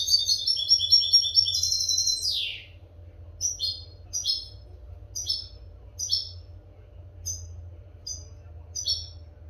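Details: European goldfinch song used as a tutor recording to teach goldfinches a clean song without faults: a rapid, tinkling high twitter and a falling slur, then crisp two-part notes about every half-second, over a faint low hum.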